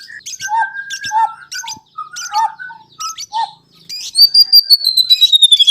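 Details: Lure song of a white-rumped shama, played so other birds start singing. Short paired phrases of low whistles with high chips, repeated about once a second, then a long high whistle that slowly falls in pitch.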